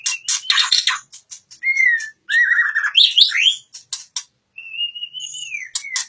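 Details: Oriental magpie-robin song of rapid ticking notes followed by rich warbled phrases, rising and falling whistles, and a long level whistle that drops at the end.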